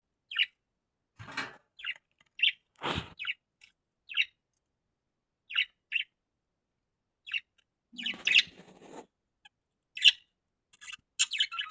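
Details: A female budgerigar (Melopsittacus undulatus) sitting on eggs gives short, scratchy chirps at irregular intervals, with a few soft rustles.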